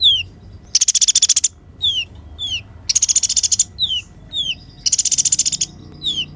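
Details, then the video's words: Energetic kolibri ninja (konin) song: three dense buzzy trills of rapid pulses, each about half a second long, alternating with sharp, high, descending whistled slurs. "KONIN GACOR PANCINGAN DAN MASTERAN SUARA ASLI JERNIH"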